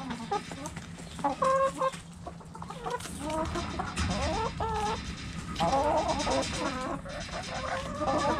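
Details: Backyard hens clucking, a group giving repeated short wavering notes and stepped phrases, overlapping with constant low hum and rustling.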